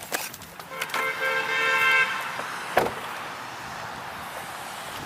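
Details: A car horn honks repeatedly in a steady tone over outdoor urban traffic noise, then a short sharp click, with no animal voices.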